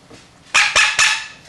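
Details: Pet Quaker parrot (monk parakeet), a male kept indoors while learning words and phrases; three loud, harsh, noisy squawks in quick succession within about half a second.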